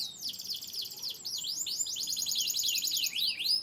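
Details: Yorkshire-descended canary from Turkey and the US in loud continuous song: rapid high rolling trills, swooping whistled slurs and a buzzy run of repeated V-shaped notes, steady and bright throughout.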